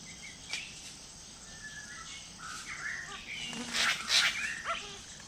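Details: A Greater racket-tailed drongo near a forest drinking pool in Kulen National Park, Cambodia, gives a varied run of clear whistles, sliding notes and harsh scratchy bursts, about three per second, with other forest birds faintly behind.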